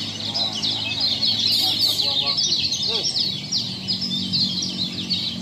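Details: Lombok kecial kept in a cage as a newly finished master bird, delivering a fast, continuous high twittering song of buzzy trills and quick slurred chips, strung together without pause; low murmur of voices underneath.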